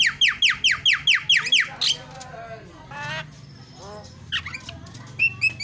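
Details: Javan myna calling as a lure to stir other birds into song: about eight rapid descending whistled notes in a regular burst, then quieter scattered chatter and a few short whistles.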